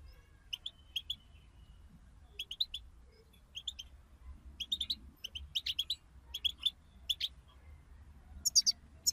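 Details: European goldfinch sounds from a group stimulation recording: soft, spaced pairs and clusters of short high chirps that become more frequent and louder toward the end, over a quiet low hum.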